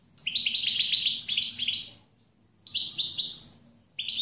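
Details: Song of a European goldfinch, a quick run of sweet, tinkling twitters and slurred notes in two bursts separated by a brief silence, with a third phrase starting at the end.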